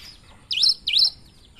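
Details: Single phrase from a cinereous tit with a strange-sounding song: two loud, clear, high notes, each dipping then rising sharply, spaced about a third of a second apart, against quiet background.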